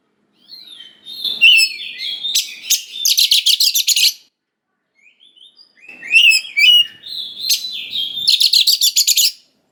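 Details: Oriental magpie-robin singing in full voice, a lure to provoke young wild-caught birds into responding: two phrases, each starting with varied whistles and twitters and ending in a rapid train of rasping, buzzy notes.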